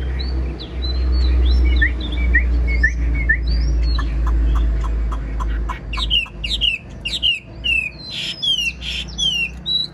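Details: Old wild-caught Chinese hwamei with a fine voice sings varied sharp whistled notes and slurs, building into a fast run of repeated high downslurred phrases, partly masked by a loud low rumble.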